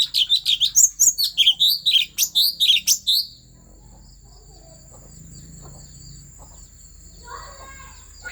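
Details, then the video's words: Asian fairy-bluebird, Central Highlands forest, Vietnam, stirring up other birds: three seconds of loud, rapid, ringing whistled notes in quick series, then near silence with a faint high whine and a soft distant call near the end. "Tiếng Chim Thanh Tước Chuẩn rừng Tây Nguyên kích Lên Lửa"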